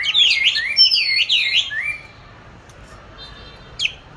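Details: Caged oriental magpie-robin kept since 29 July 2020, singing practice recorded 22 March 2021; two seconds of loud, rolling looped whistles, then quiet apart from one brief high note near the end.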